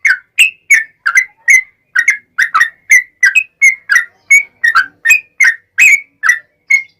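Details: Yellow-vented bulbul singing a long rapid 'ropel' sequence, used as a lure to make other bulbuls answer: bubbly, slurred whistled notes repeated nearly three times a second for seven seconds, nothing else audible.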